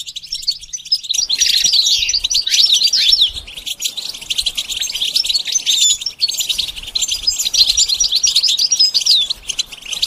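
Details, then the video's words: Goldfinch in training to sing, delivering a long, dense twittering song of fast chirps, short trills and rising whistled notes, quieter for the first second, then continuous and lively throughout. "training the goldfinch to sing"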